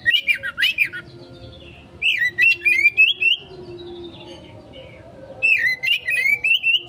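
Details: Oriental magpie-robin, called kacer, in a konslet lure song for quick response: three bursts of rapid, clear whistled notes, each a string of four to six looping phrases that rise and fall, over a faint steady hum.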